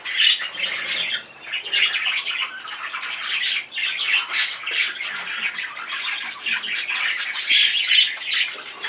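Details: Excited male budgerigar giving a dense, chattering warble of rapid clicks, squeaks and buzzy notes, with brief sharp high squeaks near the start and end and a short dip in the middle.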